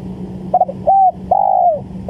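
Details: Spotted dove call used as a trapping lure: faint stuttered notes lead into a short arched coo and a long, gently falling coo, with a constant low background hum.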